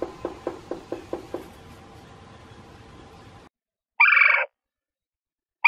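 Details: In mid-March, a male Red-bellied Woodpecker defending his nest-box territory taps six quick, hollow knocks on wood, then gives a short, loud, rolling call; a second call starts as the clip ends. This is mating-season calling from the entrance and tapping inside.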